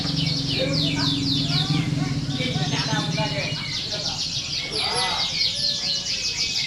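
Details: Contest canaries heard during a simulated competition used to steady birds for contests. Rapid high trills from many birds mix with talking people and a steady low drone.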